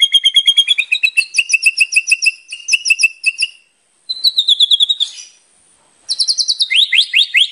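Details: White-rumped shama (murai batu) singing in energetic 'gacor full isian' style: rapid runs of bright repeated whistled notes at varying pitches, broken by a short pause, then a high, fast descending trill.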